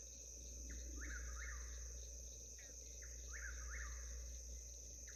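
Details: Southern whip-poor-will on a homestead in Alabama's historical Black Belt, repeating its whistled three-note phrase, sharply rising then falling, about twice in five seconds against constant high-pitched insect chorus and low rural hum.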